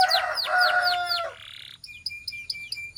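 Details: Belgian canary song to warm up males and stimulate females: rich rolling falling whistles with lower warbled tones, a short buzz, then thin high repeated chips.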